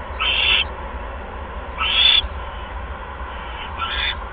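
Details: Owl at the nest, 8:38 PM on 16 February 2015, during delivery of a second mouse; three raspy hissing calls about two seconds apart, the last one fainter.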